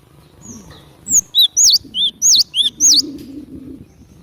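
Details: Cinereous tit in vigorous song for trapping lures: six sharp, clear two-part whistles in quick succession, each a high swooping note paired with a lower one, over a faint low murmur.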